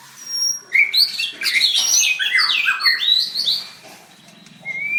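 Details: White-rumped shama at a bird singing contest, singing intensely while dancing; a tumbling phrase of rapid, varied whistles and downslurred chirps, fading to quieter chatter, then a single rising whistle at the end.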